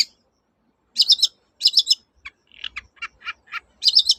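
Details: Long-tailed shrike singing 'toet-toet', played to get silent shrikes singing again: high, buzzy trilled phrases at the start and end, with a series of lower, sharp whistled notes between them.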